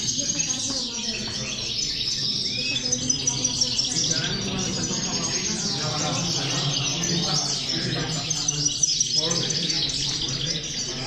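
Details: Several European goldfinches singing together, played to motivate goldfinches: constant high chattering twitters and trills layered densely, with a muffled lower background murmur.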